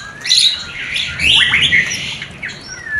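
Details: Murai batu mating sound for a newly paired couple not yet producing: a burst of loud twittering and squeaky slurred notes followed by a drawn-out whistle, with faint low rumbling behind.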